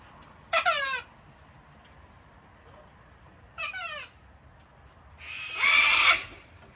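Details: Wild cockatoos, a flock visiting a house deck in Australia to be hand-fed on a cold, wet winter Sunday, give harsh raspy screeches with stacked harmonics in three bursts, the last one broad and noisy, separated by quiet gaps.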